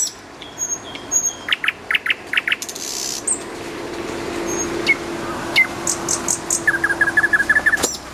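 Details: A common nightingale (Luscinia megarhynchos) sings by a road: varied phrases of rapid repeated clicks and chirps, a few sharp whistles, then a fast rattling trill, over a low traffic hum.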